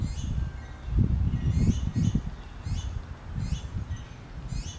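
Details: Young finches beg from their mother for food, producing short, high, descending chirps in irregular bursts, some closely doubled, with steady low rumbling and rustle underneath.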